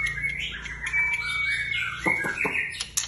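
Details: White-rumped shama kept in a cage, singing a varied phrase of level and swooping whistles, then a few dry clicks and a brief harsh note at the end, over a low background hum.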